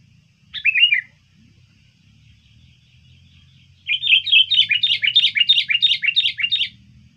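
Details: Sooty-headed bulbul used as a lure bird, trained and singing persistently: one short warbled phrase, a pause with low rumbling background, then a fast run of about a dozen rhythmic chattering notes, roughly three per second.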